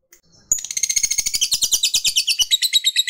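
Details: Fighter lovebird giving its long 'ngekek' chatter, used to provoke rivals: after a soft start, a fast high buzzy trill begins at half a second and runs on, about eight harsh pulses each second.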